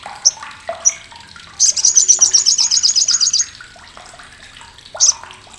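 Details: Sharp isolated squeaks lead into a loud, coarse, rapid rattle lasting nearly two seconds from an olive-backed sunbird. Its harsh chatter is used to train competition songbirds. Lower twitters sound in the background.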